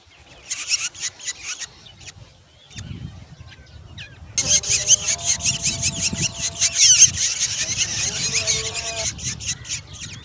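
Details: Growing Black Drongo chicks in the nest demanding food: a rapid, harsh, high-pitched chorus of raspy begging notes, starting sparse then swelling into continuous insistent calling, with low rumbling background noise.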